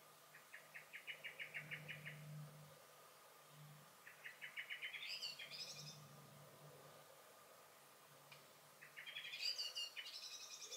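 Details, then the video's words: Garden blackbird, recorded 23 May 2021, alternating long rapid rattles of dry chinking notes with bright, high, warbled phrases. A low hum runs underneath. "Song and Alarm Calls of the Blackbird"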